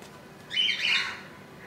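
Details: Budgerigar chick in its nest, hatched on 15 July 2018 at 2 AM and on its second day, about an inch long; one raspy squawk of about half a second, quiet room behind.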